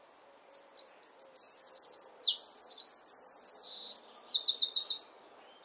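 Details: A Eurasian wren singing in a garden near its nest pours out a loud, rapid song of high trills and sharp chattering notes, lasting nearly five seconds, with faint background hum.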